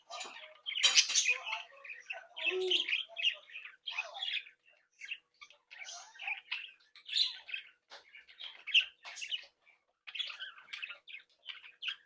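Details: Australian budgerigars from a captive breeding group, behaving happily and interacting. A steady stream of rapid, scratchy warbling and chirping, many birds overlapping, with one loud harsh squawk near the start.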